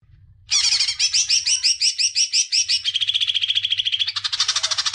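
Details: Greater green leafbird song, played to stimulate young birds to sing: after a brief quiet start, a loud run of rapid, high, repeated chirped notes. The phrase type changes twice, with a faint low hum beneath.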